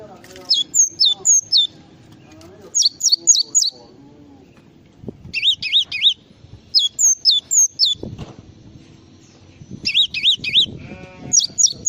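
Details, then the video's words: Java sparrow song used as a tutor recording for training birds: high, sharply twisting whistled notes in quick bursts of three or four, repeated every second or two, over faint low hum and occasional soft knocks. "masteran burung gelatik"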